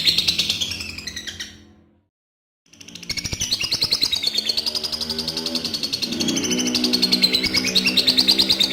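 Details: Adult lovebird giving a long trilling song, known locally as ngekek panjang and used to lure other lovebirds into singing: a rapid, high, chattering trill of about three pulses a second, broken by a short silence, then resuming steadily.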